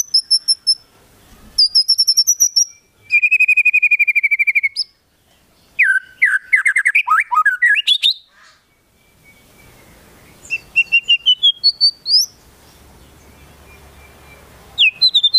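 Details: Energetic white-rumped shama song with konin and kinoi mimicry: thin high trills, a long rapid buzzy rattle, tumbling mixed whistles, then further quick rising note series after a short pause.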